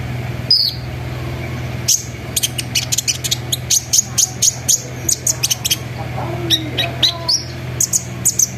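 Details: Sunbird lure song aimed at getting other sunbirds singing, trilling and rolling. Long runs of rapid, piercing high chips are packed closely together, with brief lower squeaky notes, over a low steady hum.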